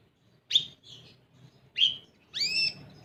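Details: Olive-backed sunbird notes used to prompt young birds to sing: two sharp high chirps about a second apart, followed by a longer whistled note that falls at the end, over a soft low hum.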